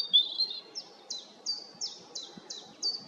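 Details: European robin phrase: one bright, high whistle followed by a run of identical short, falling notes, repeated about three times a second.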